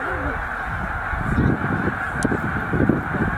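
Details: Migration stopover of around 100,000 snow geese at Middle Creek wildlife refuge; a steady honking roar with a short curving call at the start and irregular low thumping bursts throughout.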